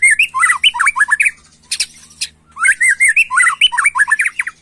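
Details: Excited white-rumped shama in 'macul' style, giving two loud phrases of rapid whistled warbles separated by a brief pause with a few sharp, harsh notes between them.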